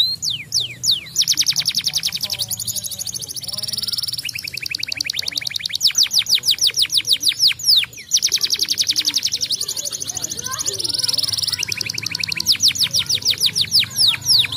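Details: Stimulating song of a yellow canary, long and varied, alternating dense rattling trills with series of sharp falling whistles and short pauses, over a faint low background hum.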